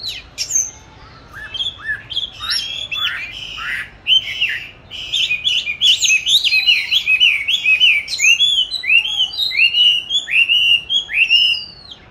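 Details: Caged oriental magpie-robin hung in a favoured spot for song training, kept since 29 July 2020 and recorded 22 March 2021; a long, lively stream of varied whistles and chattering notes that speeds up mid-song.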